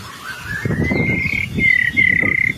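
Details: White-rumped shama in full song for tutoring other birds: one long rising whistle that levels off and holds steady, over a low background rumble.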